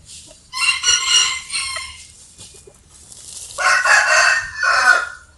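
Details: Early-rising rooster crowing twice in succession: harsh, drawn-out cock-a-doodle-doo calls, the second with a rough, broken ending.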